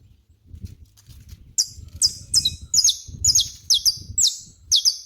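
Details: After a second of low rustling and rumble, a saffron finch outdoors launches a fast series of piercing, downslurred chirps, often paired, while low background noise continues beneath.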